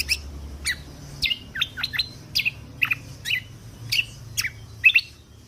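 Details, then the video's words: Lesser green leafbird (kecial kombok) song in the 'tembakan kunti' style, recorded for training contest birds: evenly spaced, sweeping chirps, several in quick pairs, with a soft low background hum. "Masteran Kecial Kombok Full Tembakan Kunti"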